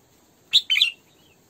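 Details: A caged female Red-whiskered bulbul used as a decoy sings a brief 'sổ bọng' phrase: one sharp whistled note, then a liquid, wavering trill. The phrase ends in a soft fading tail.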